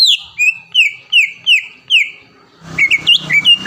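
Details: Greater green leafbird, a caged contest winner from the Palembang area of Indonesia, gives five loud descending whistled slurs about every 0.4 seconds, then switches to a quicker jumble of twisting whistles over a faint low hum.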